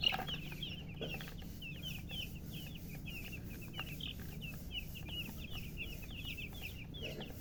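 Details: Several newly hatched chicks peep nonstop. Their shrill, falling chirps come in a rapid, uneven stream, several each second, above a quiet low-pitched background rumble.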